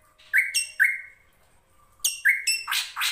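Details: Drongo master song for training competition songbirds, with running water behind: quick clipped notes with bright ringing overtones in rapid pairs, then a harsher rasping flurry at the end.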